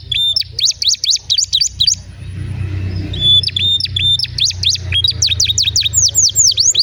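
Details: Long canary song meant to coax other canaries into singing: rapid repeated swooping whistled notes in bursts, a brief pause, then continuous rolling phrases of high downward-sweeping notes.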